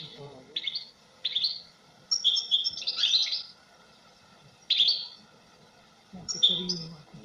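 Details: European goldfinch twittering in a series of bright, warbled phrases with buzzy, tinkling notes, irregularly spaced over about seven seconds, over a steady background hiss and soft low rumbling.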